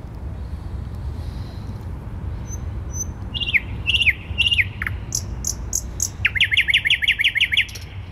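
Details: Thrush nightingale in central Warsaw, 12 May 2020: faint high ticks, then falling whistled phrases and a long fast rattle of repeated notes near the end, over a constant low urban drone.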